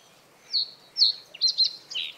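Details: Male common reed bunting singing to defend its territory in the breeding season, perched high on reed stems above water; a short phrase of five bright, high chirped notes, spaced then quickening into a buzzy double note at the end, over quiet background.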